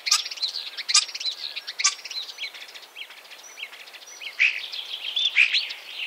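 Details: Common starling of 2017 near Wittlich, Germany, pouring out a varied, chattering song: sharp clicking bursts about once a second early on, then gurgling warbles and squeaky whistles, louder again toward the end.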